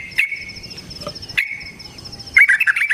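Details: Wild yellow-vented bulbul (trucukan) in Indonesia, singing in the long 'ropel panjang' style. Two short, sharp whistled notes each run into a held tone, then a burst of rapid chattering notes. A steady high insect trill continues throughout.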